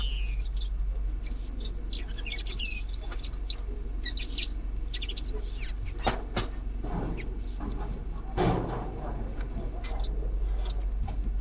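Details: Zebra finches in a home aviary giving dense, overlapping short high chirps and nasal tweets, several per second throughout, over a steady low hum with occasional rustling and thumps.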